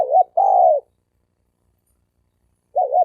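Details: Male spotted dove giving a fighting-challenge coo. A short wavering note leads into a long, smooth, slightly falling coo, and another wavering note starts near the end. The background is silent.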